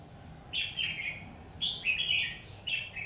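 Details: Red-whiskered bulbul singing in a fight, a trapped bird, gives short bright warbled phrases about a second apart, each a quick cluster of whistled notes falling slightly in pitch.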